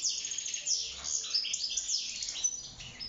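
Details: European goldfinch kept in a cage sings for mating and nest building: quick, bubbling high-pitched twitters mixed with short descending slurs and buzzy notes, steady throughout.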